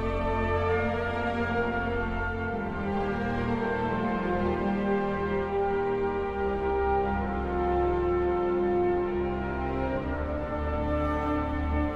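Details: Slow, sad orchestral music with French horn and strings, with no animal sound heard.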